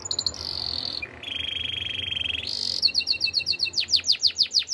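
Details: Spanish Timbrado canary song with a smooth rolling trill dropping to a lower buzzy roll, then a burst of rapid, rhythmic down-slurred whistled notes, over a soft background hum.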